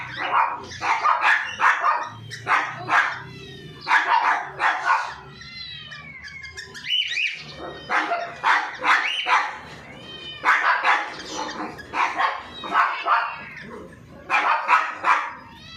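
A cockatiel gives harsh, rasping calls in quick bursts, with a few rising and falling whistles between them.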